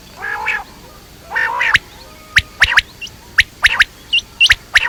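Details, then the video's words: Quail (batair): two harsh, nasal squawks open, followed by a steady run of sharp clicking notes, often grouped in twos and threes, plus a couple of thin whistled notes. "Quail sounds batair ki awaz quail sounds"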